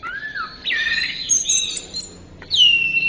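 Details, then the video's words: Short stretch of Orange-headed thrush song: a clear, rising then falling whistle, a buzzy warbled phrase, a high thin trill, and a final loud down-slurred whistle over faint background noise. "Masteran Suara Burung Anis Merah"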